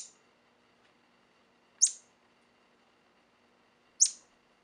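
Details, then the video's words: A singing male orange bishop weaver gives piercing high chirps, each a brief falling note, spaced about two seconds apart with near silence between them. "The Male Orange Bishop Weaver In Song"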